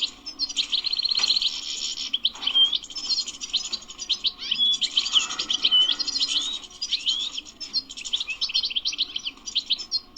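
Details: Dense twittering song of a European goldfinch described as wild: busy overlapping chirps and trills, a few clear whistles, the notes crowded together almost without a break.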